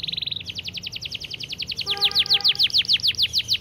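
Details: Canary singing a fast, tight 'gacor speed rapat' training song: a short buzzy trill, then a long run of rapid downward-sweeping whistled notes, quickening and growing louder, with steady low tones beneath.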